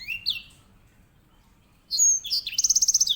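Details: Grey singing finch (edel sanger), a canary tutor bird in Indonesia, gives a brief rising whistle, then a high slur and a fast, evenly pulsed trill over low background hum.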